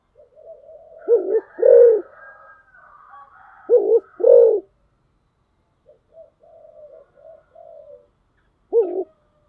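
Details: Spotted dove kept as a decoy bird, cooing in a very orderly style: low, hollow paired coos, the second note longer, repeated in groups with softer murmured notes between and a quiet stretch near the end.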